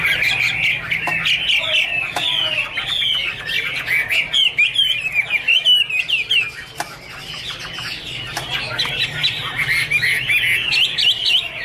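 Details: Chinese hwamei, an angry bird dancing and singing, from 2017, performing Iron Ax Blade Cut Wood: a long, rich, varied song of fast warbles, slurred whistles and upward flicks that surge, ease off, then build again.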